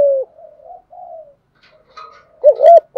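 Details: Spotted dove cooing to stimulate newly caught doves: a falling coo, then soft low murmurs and faint chirps, ending with a loud doubled wavering coo.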